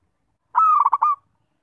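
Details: Single melodious zebra dove (perkutut) phrase: a clear, steady cooing note breaking into a series of four quick rolling, bubbling notes, heard against silence.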